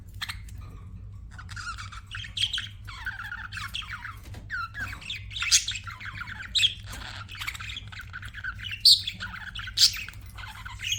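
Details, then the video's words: Pet budgies chattering and chirping: rapid warbled phrases with sharp high squeaks every second or so, steady low background hum throughout. "BUDGIES CHIRPING SOUND"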